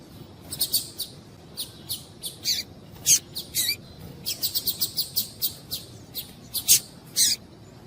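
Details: Female double-collared seedeater calling to stir up males and get them singing: rapid, sharp, very high chips in uneven clusters, some doubled, spread across several seconds over a quiet background.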